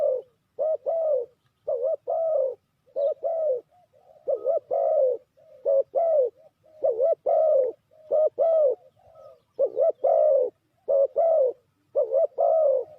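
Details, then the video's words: Spotted dove calling as a trapping lure, a long steady run of about a dozen two-part coos, each a brief dipped note then a longer falling coo, in an even unhurried rhythm. "Sound Of Spotted Dove is so good,Bẫy cu gáy bằng mồi trồn,เสียงนกเขาใหญ่,Suara Terkukur Pikat Tua"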